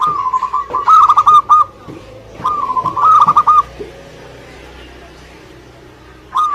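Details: Local Indonesian zebra dove, singing lively: two rolling pulsed coo phrases about a second and a half apart, then a pause with faint background noise before another phrase begins.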